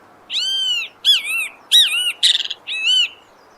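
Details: A great kiskadee (bem-te-vi) calling in the forest gives five loud, harsh, arched notes in quick succession, one a rapid stutter, all pitched high.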